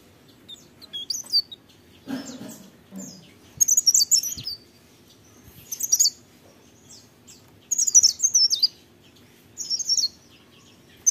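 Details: Leaf warbler in morning song, delivered as short separated bursts of very high, sibilant twitters and squeaky notes with quiet gaps between them, plus a faint low rustle early on.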